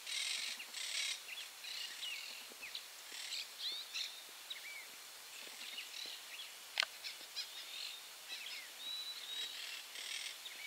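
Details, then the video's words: In Barra do Ribeiro, Rio Grande do Sul, Brazil, a noisy flock of monk parakeets screech and chatter, with harsh grating bursts mixed among sharp, squeaky, high-pitched notes that run on without a pause. "Caturritas gritando"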